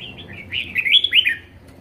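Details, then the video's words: Red-whiskered bulbul kept at home, described as a vigorous 'ché' singer: a brisk, tumbling run of bright whistled notes, swelling in the middle, with clear slurs that rise and then drop. "Chào mào hót hay | chào mào ché hay | chào mào siêu ché"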